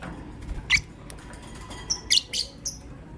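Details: Pet lovebirds, a green personata and a pastel white, chirping in the morning: scattered harsh, buzzy chirps high in pitch, a few loud notes clustered near the end, over a low background hum.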